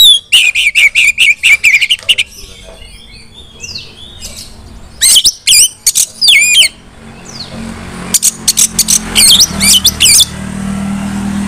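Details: Female Oriental magpie-robin calling others of its kind to sing: fast trains of sharp chips, scattered slurred whistles and buzzy bursts, with a humming background growing louder toward the end.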